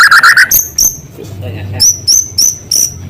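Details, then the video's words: Singing White-rumped shama using small-bird filler material: an opening rapid rough trill, then a series of sharp, high, clipped whistled notes spaced roughly every third of a second, separated by brief quiet gaps. "Murai gacor materi isian suara burung kecil"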